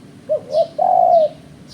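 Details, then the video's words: Spotted dove recorded as a trapping lure, giving two short coos then one long level coo, with faint high chirps from another bird at the start and end. "Suara Burung Terkuku"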